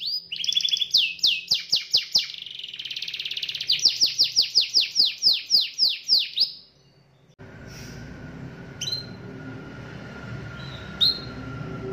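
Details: Canary lure song for getting canaries to sing actively: about seven seconds of fast repeated descending whistles and buzzy trills, then near silence with a low hum and a few scattered short chirps.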